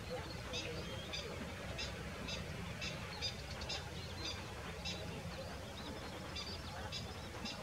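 Common Shelduck giving short, sharp, high notes in a steady series, about two each second, over a constant low rumble of wind or water.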